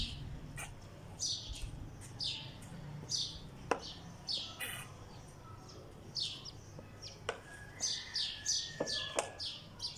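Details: Sparrow on a wall making repeated short chirps, sometimes doubled, mixed with scattered sharp clicks and taps over a low hum.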